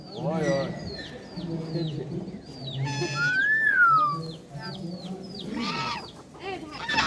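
A myna speaks in a hoarse, human-like voice, mixed with a clear rising-falling whistle and quick repeated high chirps, with clucking and a person talking in the background.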